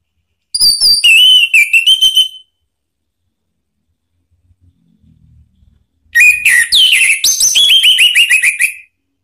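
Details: Provoking song of an Orange-headed thrush, aimed at drawing a reply from another thrush: two bursts of fast, varied whistles and chirps, each about two seconds long, separated by a quiet gap of some four seconds with faint low noise.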